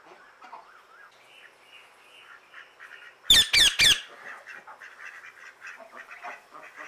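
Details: Calling other birds while outside, an Indian ringneck parrot gives three rapid, piercing screeches in under a second, set against a steady bed of soft chirps and chatter from surrounding birds.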